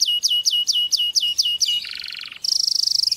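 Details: Canary song to stimulate mating: eight quick descending whistled notes, a dry buzzing roll, then a very fast high trill to the end.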